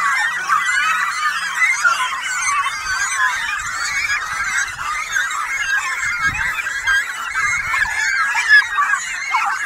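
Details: A cormorant colony on Bonamy Rock, Dalhousie, New Brunswick, in June 2015: a dense, unbroken din of harsh, honking and croaking calls from many birds at once, with no pauses.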